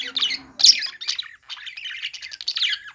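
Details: Budgies at play give loud scratchy squawks followed by a fast run of buzzy, repeated chattering notes, with a faint low murmur at the start.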